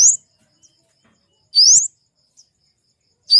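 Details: Loud, thin rising whistles from a flowerpecker, family Dicaeidae, each a fast upward slur, three given about one and a half seconds apart in otherwise quiet surroundings.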